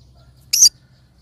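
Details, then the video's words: One loud, scratchy shriek from a pineapple conure, brief and noisy with a slightly broken, doubled quality, in otherwise quiet surroundings. "Pineapple conure sounds"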